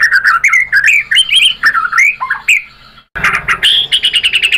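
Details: White-rumped shama, its song meant to provoke other birds to sing, pours out varied whistled phrases with slurred, rising and falling notes and harsh squawky touches; after a short gap, a burst of rapid sharp notes.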